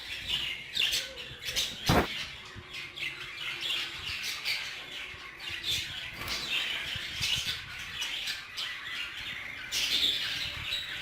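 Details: Hogoromo budgerigars in an aviary keep up steady overlapping chirps and raspy chatter, with a sharp knock early on and a loud swell of calls near the end.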